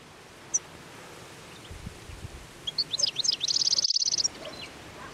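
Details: In midwinter (17 January 2021), hungry European goldfinches feeding voraciously on plane tree seed balls by the Anapodaris river give high, tinkling twitters building into a quick run of bright repeated notes, over faint hiss.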